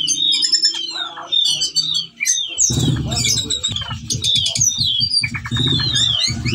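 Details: Whistling thrush, a bird in breeding condition calling to a female, singing nonstop as a lure for training other birds: busy, varied high chirps and slurred whistles in rapid succession, over steady rhythmic music from the middle onward.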